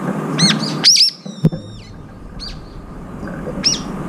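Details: Several brown-eared bulbuls feeding and jostling for food. Sharp arched squeals come in a quick cluster, then a longer drawn-out call that slides downward, followed by scattered shrill notes over a low background hum.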